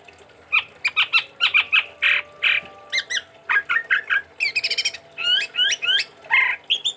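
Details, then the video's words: A captive chestnut-rumped babbler from Sumatra sings a busy run of harsh squawky notes, rapid chattering trills and clear rising whistles, about twenty notes in seven seconds, over a faint steady hum. "Tepus Tunggir Merah Gacor"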